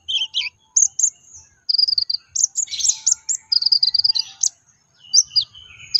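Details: Brown-throated sunbird, locally konin, giving a lure song to make other sunbirds sing: jumbled high chirps, rapid trills and a few lower whistled slurs, delivered in quick, busy phrases.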